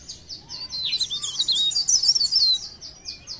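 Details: Leaf warbler, cikrak daun, of Pare Pare singing in blereng style: dense, fast high-pitched twitter of sliding whistles, swelling in the middle and easing toward the end.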